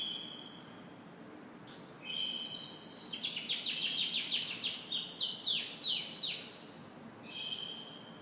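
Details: Canary in morning song: a soft whistled note, then a loud rolling trill of rapid falling sweeps lasting about five seconds, followed by a quieter short phrase.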